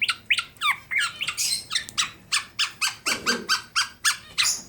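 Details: Black-naped Oriole, a tame singing bird from Klaten in Central Java, gives twisting chattering notes followed by a run of short, evenly spaced, harsh high chips about four per second, recorded indoors.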